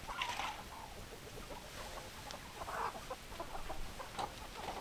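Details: Chickens clucking, short throaty notes in loose bursts over a steady background hiss, with one louder cluster near the third second and another toward the end.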